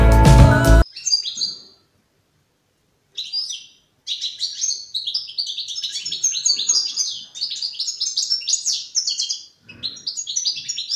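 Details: Young European goldfinch in the song-forming stage, practising its song: a sharp loud burst at the start, then a short pause, then a long run of rapid, twittering high notes broken by brief gaps.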